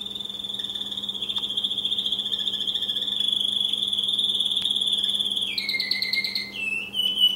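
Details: American Singer canary, a caged male, delivering a long steady rolling trill, very fast and even in pitch, changing near the end to lower, wider warbled notes and short chirps; faint steady electrical hum.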